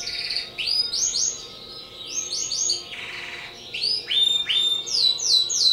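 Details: Timbrado canary from a breeder singing rapid series of rising whistled notes in repeated rolling phrases, high and bright, with a short noisy rasp midway and a quiet steady background hum.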